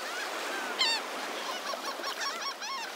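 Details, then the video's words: A large flock of gulls on a Naples, Florida beach in the morning calls over one another with harsh, nasal, downward-arching cries in a busy chorus over a steady hiss of surf or wind. "Lots of Seagulls"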